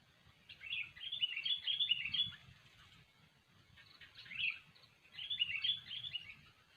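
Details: Vigorous kutilang, or sooty-headed bulbul, song meant as a lure for trapping: two lively bursts of chattering, warbled whistles separated by a quieter pause, with faint low rumble beneath.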